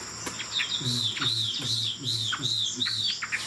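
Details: Tame Chinese Hwamei with a fig-leaf-shaped tail sings from a high perch, repeating high arched whistled notes about twice a second over a low background hum.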